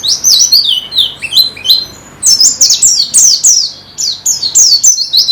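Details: White-eye song used as training audio for kept birds: rapid runs of high, thin whistled notes, each slurring downward, packed in busy bursts with a short gap near the middle.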